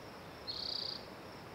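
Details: Spotted towhee song phrase: a fast, high, buzzing trill of roughly half a second with slightly uneven pulses, set against a steady high background hiss.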